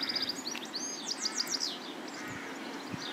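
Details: Two-week-old Egyptian goose goslings give thin, high peeps in quick runs of four or five, some sliding downward, over a steady hiss of background noise.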